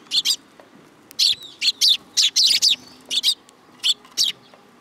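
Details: Tame young sparrows on an outstretched hand, Tenmangu shrine, Japan, July 2022: loud, close, high chirps, some doubled, some in tight triplets, at a lively uneven pace.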